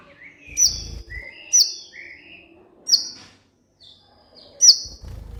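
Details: Kolibri ninja sunbird in a master recording for coaxing lazy caged birds: four sharp downslurred high notes spaced roughly a second or more apart, with quiet warbling whistles between and low thumps in the background.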